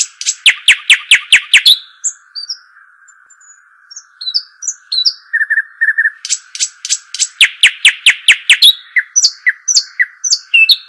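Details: Arabian babbler, locally called shuhaim or dakhal: fast series of loud, downward-slurred piping notes, a pause with scattered thin whistles and short buzzy notes, then another rapid piping series. A steady high hum runs throughout.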